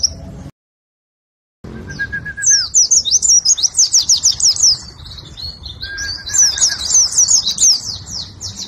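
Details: Oriental white-eye in fast, high, twittering song, tumbling chirps packed several per second, with a brief steady lower whistle twice in the background; a persistently singing competition bird.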